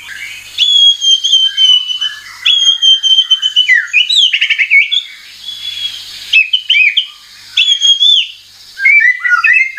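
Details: White-rumped shama (murai batu) lure song for triggering singing: long clear high whistles held steady, mixed with rapid squeaky chatter and slurred notes in repeated bursts separated by short pauses.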